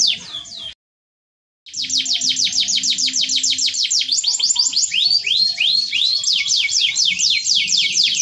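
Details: Canary song in the cengkok mewah style: a short burst, a second of silence, then a long, steady trill of rapid descending notes turning into rising whistled loops and varied slurs.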